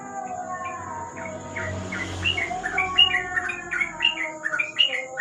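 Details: Trucuk, the sooty-headed bulbul, in night-time ropel under lamplight: after faint murmuring background noise, a hurried string of clear whistled notes builds up, bright and slurred, repeating rapidly, with a steady high hum throughout.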